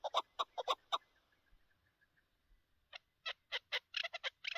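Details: Chukar partridge recorded during a partridge hunt: a run of four harsh, clipped chuk notes, a short pause, then another quickening burst of similar chopped notes, outdoors with little background.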